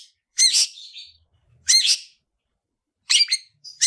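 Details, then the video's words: Cendet, the long-tailed shrike, in 'tarung ngalas' fighting song from a top-performing tutor bird: four loud rasping bursts separated by pauses of over a second. "Tarung ngalas Gacoran cendet cocok untuk masteran burung cendet"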